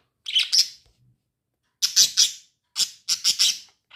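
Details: Lovebirds chirping: harsh, shrill chirps in quick clusters of two or three, with short pauses between bursts, about four clusters over four seconds, no other sounds.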